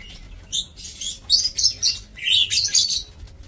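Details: Breeding lovebirds in an aviary, recorded 2 October 2024: shrill, high chirps and harsh chattering bursts, several overlapping squeaky notes clustered in short spurts over a few seconds, with quiet gaps between.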